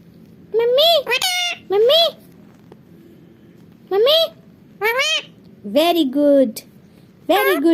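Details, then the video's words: Caged pet talking parrot in a small room chattering non-stop. Six or seven short, bright, speech-like syllables with wavy harmonic pitch come in clusters about every second. A quiet hum sits between them. "bolne wala tota"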